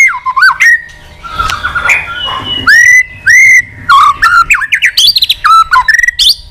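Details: Contest-ready white-rumped shama, a mature forest bird with many voices, singing while wagging its tail; sweeping whistles, slurred dips and a fast stuttering series of sharp clicks and chips, with some faint background noise.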